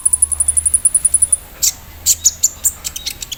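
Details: Olive-backed sunbird, kept caged and set out for morning dew, gives an embroidery-machine-like song. A fast, even series of high ticks comes first, then louder irregular sharp chips.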